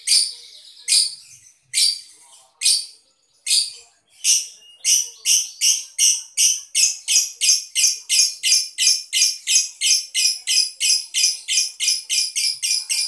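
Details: Lovebird from the Boyolali collection, noted for long trilling performances; a few separate shrill notes open, then the bird speeds into a steady rhythmic trill of sharp high pulses, about three per second, continuing for several seconds.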